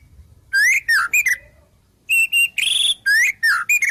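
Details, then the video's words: White-rumped shama delivering mimicked wild-bird phrases: slurred, rising and falling whistles in short groups, a pause, then steady clear whistles and a harsher burst before more slurred whistles. "Suara Murai Batu Full Isian Burung Alam"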